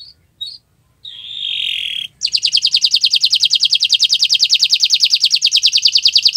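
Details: Canary singing in gacoran style on a Friday morning: a few short whistled notes and a rasping buzzy note, then a fast, steady, high trill of roughly three pulses per second that carries to the end.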